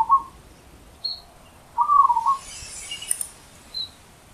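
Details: A wild zebra dove gives a loud short low coo, then a rapid stuttering cooing phrase, with faint high chirps from other small birds in the background.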